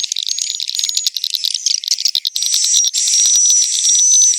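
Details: Swiftlet roosting lure from inside a successful swiftlet building: crowded high twittering and chirps, joined midway by a steady, thin, high whistled tone that persists to the end.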